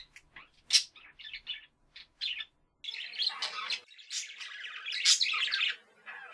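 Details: Budgerigars at home giving separate short chirps and clicks at first, then after a brief silence breaking into dense, rasping warbled chatter with piercing high notes.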